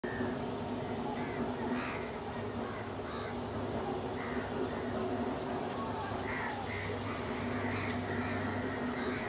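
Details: Crows feeding together in a group alongside a pigeon: scattered harsh caws rise now and then over a steady low hum and constant background noise.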